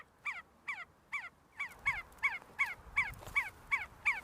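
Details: Repeated see-see partridge call from birds feeding and fighting on the University of Sulaimani grounds, Kurdistan: ten crisp, descending whistled notes, evenly paced a little under half a second apart, with a quiet background.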